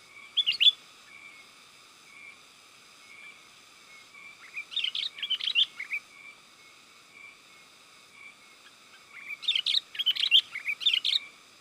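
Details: Sooty-headed bulbul calling to lure wild birds, a sharp opening note then two longer bursts of tumbling bubbly chirps several seconds apart, over a thin steady tone.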